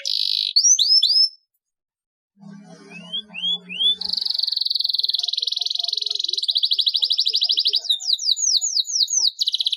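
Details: Canary song with a long roll, used to prompt lazy canaries to sing. Quick whistled slurs, a pause with faint low sounds, then upward slurs leading into a sustained fast roll lasting several seconds, ending in sweeping notes.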